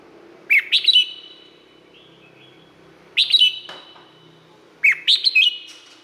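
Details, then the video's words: Red-whiskered bulbul kept in a cage in Thailand repeats a cheerful phrase of several rapid, looping whistles three times, roughly every two seconds, over faint low background noise. "เสียงนกกรงหัวจุก สำหรับต่อ หรือ เปิดให้นกคึก เสียงเพราะๆ"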